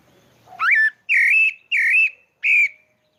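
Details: Song of a pale-breasted thrush (sabiá-pardo) from Maranhão, Brazil: four loud whistled notes, each slightly wavering and held about a third of a second, spaced about half a second apart after a soft rising opener.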